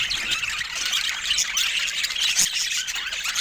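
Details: A group of pet budgerigars of the kind bred for colour mutations produce busy, high warbling chatter, with thin whistled squeaks poking out above a constant scratchy twitter.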